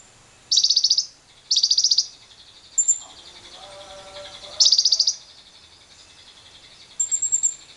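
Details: Lovebird ngekek lure to stimulate long trilling in other lovebirds, with wild birds present: loud dense pulsed high chatter bursts, three within five seconds, with thin high whistles and faint lower chirps between.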